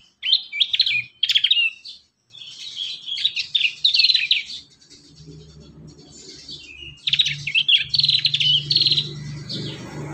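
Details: Prinia song meant to coax young prinias into singing. Dense bursts of high, scratchy chirps and twitters come in several phrases with short gaps, over a soft low hum in the second half.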